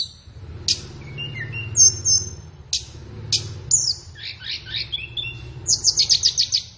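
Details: Morning or afternoon training track of flowerpecker song for caged birds: scattered sharp high clicks, brief lower twitters, then a fast run of very high repeated notes at the end.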